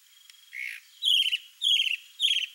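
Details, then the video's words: Singing chalk-browed mockingbird, a male displaying to a female, delivers three loud, harsh, buzzy rattling phrases about half a second apart after a softer slurred opening note. "CHALK-BROWED MOCKINGBIRD male sings showing off to female (MIMUS SATURNINUS), SABIÁ-DO-CAMPO."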